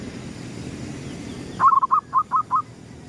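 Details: Local zebra dove, gedong mengo type, cooing at dawn: a bubbling stutter of notes opening into a steady series of about five soft, evenly spaced rounded coos over a faint hiss.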